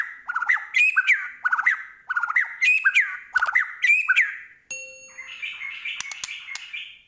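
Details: White-rumped shama of the Medan type in chatty full-isian song. Rhythmic repeated phrases of rich warbled whistles ending in upslurs, followed by a softer, scratchy, buzzy chatter.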